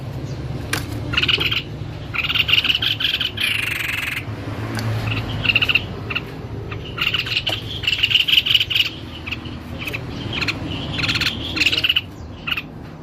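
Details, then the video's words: Vigorous song of a white-necked babbler: irregular bursts of high chattering notes and short buzzy trills spread across the recording, with a low background rumble. "SUARA TEPUS LEHER PUTIH GACOR"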